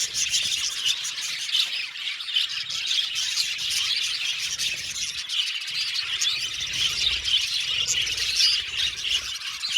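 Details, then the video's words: Budgerigars in an aviary chirp and warble nonstop, a shrill, layered chatter of many birds at once. "Beautiful budgies chirping sound | Budgies sound for lonely budgies"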